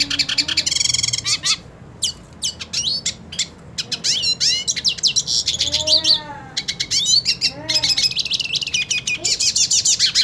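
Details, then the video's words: A purebred hooded siskin eager to fight another of its kind pours out a high, twittering song of fast clicks, buzzy trills and upslurred whistles, with a few softer lower arched notes behind. "Cabecita Negra Canta Y Quiere Pelea / Pintassilgo Quero Lutar"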